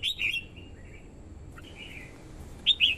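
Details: Female red-whiskered bulbul singing to excite a male and call in wild birds: a quick warbled phrase at the start, soft trailing notes in the middle, then another loud slurred two-note burst at the close.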